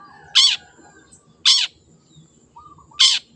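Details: Three harsh, buzzy shrieks from a wild long-tailed shrike, with a short whistled note before the last one.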